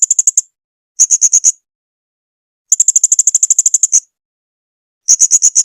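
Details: Blue-crowned hanging parrot song recorded as a training recording: very high, sharp chips delivered in rapid rattling bursts of five to fifteen notes, separated by pauses of about half a second to a second, no other sounds.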